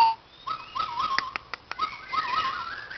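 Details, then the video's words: White-crowned shama at a playground giving quieter song, a run of short repeated whistled notes mixed with scattered clicks and ticks, fairly soft overall. "White crowned shama"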